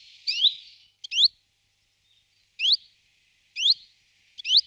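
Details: Common Chiffchaff (Phylloscopus collybita) giving high, sharply rising slurred notes at irregular intervals of about one second, some with a short buzzy lead-in, in a quiet setting.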